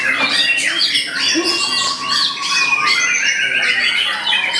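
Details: White-rumped shama bowing as it sings, showing off a rich store of borrowed phrases without moving; sharp high whistles and quick slurred notes, some steady drawn-out tones, with a low murmur of voices beneath.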